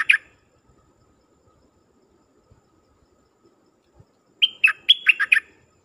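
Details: Dok taeng bird kept as a decoy, singing to call in wild birds: one brief high chirp at the start, silence, then a fast burst of sweet whistled notes near the end.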